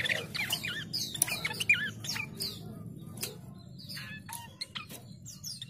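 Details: Chestnut-capped babbler call used to lure rivals: a burst of looping, wavy whistles in the first two seconds, followed by sparse sharp ticks and short rising notes against a low background drone.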